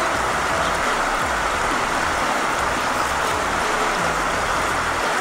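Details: Dense rushing noise like rain or passing traffic, with no animal voice.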